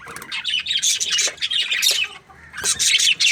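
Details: Budgerigars in an aviary chirping and warbling: quick twittering notes and short rasping squawks in two busy bursts separated by a brief lull.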